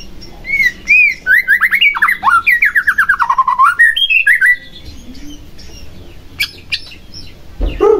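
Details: Song of a white-rumped shama, played to stir another shama to sing: looping whistled notes, then a quick series of about twenty descending slurs, followed by quieter scattered notes and a final harsh burst.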